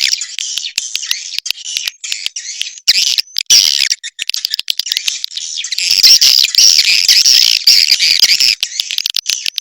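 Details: Indonesian swiftlet sound made for swiftlet farmers: rapid stuttering high chirps and buzzy twitters running almost continuously, a flock-like chatter that grows fuller and louder halfway through.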